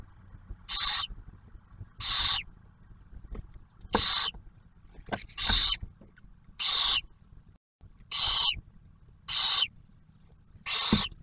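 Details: Barn owl nest near Oak Harbor, Ohio, Ottawa National Wildlife Refuge, 2023, with male bringing food and female feeding the newly hatched owlet. Eight harsh, high hissing screeches, each under half a second, repeated roughly every 1.4 seconds.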